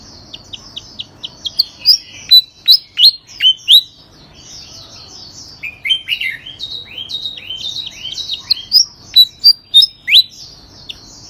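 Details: A songbird that took third place in a bird-singing contest sings nonstop: a varied stream of sharp, high downslurred whistles and chirps, some short buzzy bursts, over a faint low background hum.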